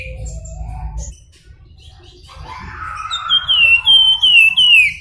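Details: Javan Fulvetta singing the whistled nyuling song. Murmuring voices and background chatter come first, then a run of bright, high whistles, each sliding downward, repeated rapidly to the end.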